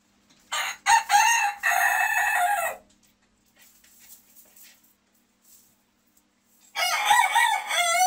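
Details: Dwarf Hamburg bantam rooster crowing, a kikirikí: loud harsh multi-part crow about two seconds long near the start, then quiet, then another strident crow beginning near seven seconds.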